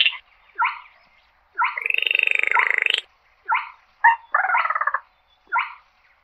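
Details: A slaty-breasted rail calls to gather the flock. Clipped croaking notes come every second or so, broken by a long grating trill that curves upward and then falls. The background is clean.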